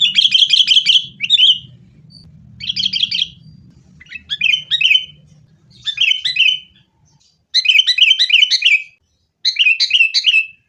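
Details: Sooty-headed bulbul in fighting mode, used as a lure to make caged bulbuls sing: six lively bursts of rapid, bubbling chatter separated by short silences, with faint low background noise early on.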